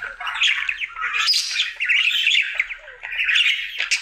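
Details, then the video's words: Pet male budgerigar in his daily singing routine: a continuous, rambling warble of chattering, squeaky and scratchy notes with quick whistled flicks, barely pausing, close and loud indoors. "Budgie singing for 1 Hour Happy song!"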